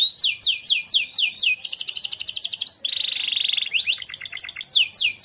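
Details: Singing contest winner canary in training song: swooping slurred whistles repeated in a series, a rapid even trill, a dense buzzing roll, then more fast descending notes.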